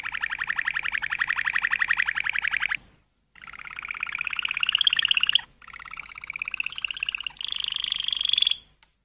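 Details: A Waterslager (Malinois) canary sings rapid rolling tours, first a fast bubbling trill, then gurgling and rising whistled phrases separated by brief pauses.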